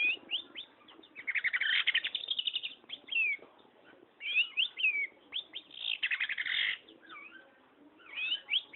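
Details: Energetic long-tailed shrike song mixing rapid raspy chatter bursts with looping whistled slurs and twisting phrases, delivered in uneven bouts separated by short pauses.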